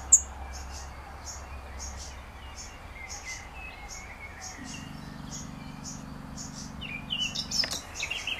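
A young black redstart gives thin, high chirps about twice a second, calling for its parent; a low mechanical hum joins briefly near the end.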